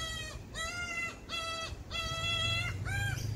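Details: Young common cuckoo begging its magpie host mother for food: repeated harsh, nasal screeches about two per second, each slightly arched in pitch, with a low rumbling background.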